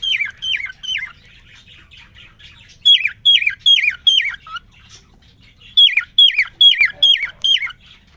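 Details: Male cockatiel (quarrion), caged, singing right after a female was introduced to him following three days alone: bright whistled notes sliding downward, repeated in quick bursts of four or five, with short pauses between runs.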